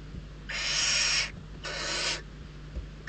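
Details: Hungry barn owl chicks in the Ebro Delta, Spain, contest prey at the nest; two drawn-out rasping hisses under a second each, then a third beginning at the end.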